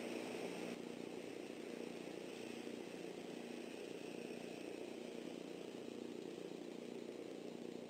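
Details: Continuous broad hiss and engine-like drone with no animal calls.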